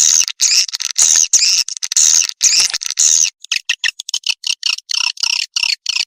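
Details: Swiftlets, a lure call to attract them: dense buzzy twittering chirps in fast bursts for three seconds, then quicker clipped chirps repeated about once a second, high-pitched throughout, no other sounds.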